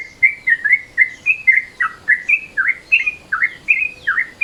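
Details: Yellow-vented Bulbul in midday mode, the call used as a lure: a lively unbroken run of bubbly, slurred chirps, each note dipping and rising, repeated about three times per second against a quiet background.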